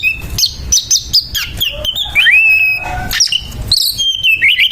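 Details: Aggressive kacer, an Oriental magpie-robin, in a fighting bout, delivering rapid rough chatters alternating with long slurred whistles and twittering mimicry at a fast, restless pace.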